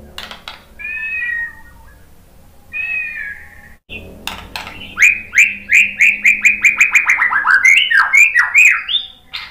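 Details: White-rumped shama song meant to provoke other shamas into singing back: two drawn-out, mewing, harmonic notes, a pause, then a fast burst of sharp, repeated descending notes, about fifteen in quick succession, rising slightly toward the end.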